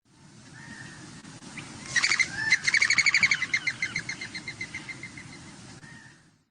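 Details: Mourning dove (Zenaida macroura) wing whistle as it takes off from the ground: wind through the wing feathers makes a fast, fluttering series of whistled wingbeats, about three per second, loud at first and fading over a few seconds.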